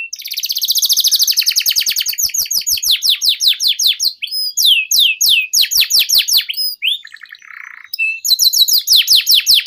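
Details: A canary recorded as a lure and master song for young canaries sings a long, fast run of bright trills and rolling phrases, repeating each syllable type several times before switching.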